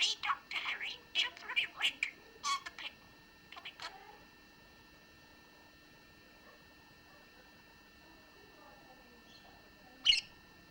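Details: A pet talking budgerigar, indoors, reciting rhymes and sayings: a quick run of high, thin, speech-like syllables for about four seconds, then quiet, then one sharp chirp near the end.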